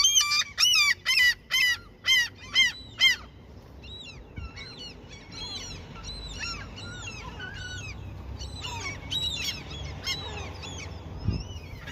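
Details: Seagulls being fed by someone fishing in their territory: a series of seven loud, evenly spaced nasal yelps opens, followed by softer, scattered calls from other gulls farther off.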